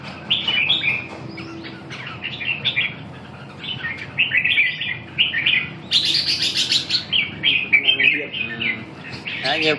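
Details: Red-whiskered bulbul singing a lively run of varied, bubbling, warbled phrases, many quick notes rising and dipping, with short pauses and a few louder, harsher bursts; a person talks faintly nearby.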